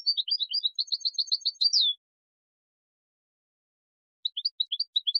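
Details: Goldfinch singing a fast tinkling phrase that ends in a brief buzzy trill and a downward slur. After a long silence comes a short run of sharp, liquid chirps. Used for teaching chicks to sing.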